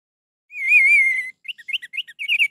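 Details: Orange-headed thrush song played to stir a bird that is reluctant to sing: a long, wavering whistled note, then a quick run of short, bright chirps rising and falling, clean with no background noise.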